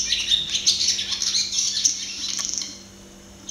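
Barn swallow singing a fast, scratchy twittering run of high chirps and squeaky notes for about two and a half seconds, then fading to quiet.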